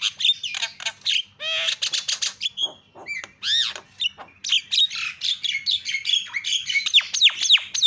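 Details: Starling song used to spur a silent jalak into singing: continuous chattering of harsh buzzes, rapid clicks, rasping squawks and slurred whistles with barely any gaps.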